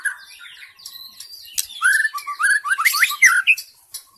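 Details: White-rumped shama lure song from the wild forest: quiet opening, then a loud run of fast slurred whistles and sharp chirps before fading.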